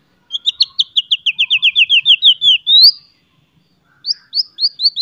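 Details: Song of a white-rumped shama meant to spur rival shamas to sing: a rapid series of about twenty crisp, downslurred whistled notes ending in an upward sweep, then a second faster burst after a short silence.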